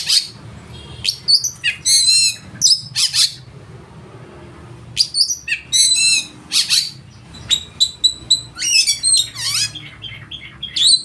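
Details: Oriental magpie-robin singing loudly through a full, rich repertoire meant to spur rivals into singing and tail-spreading: bursts of high, sharp whistled and chattering phrases, some sweeping down, separated by short pauses, with a quiet low hum beneath.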